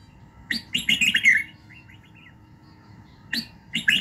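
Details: Morning song of a red-whiskered bulbul, used to train a bird's voice and fire it up. A burst of chattering, warbled whistles is followed by faint soft notes, a pause, then sharp chirps returning, over a low hum.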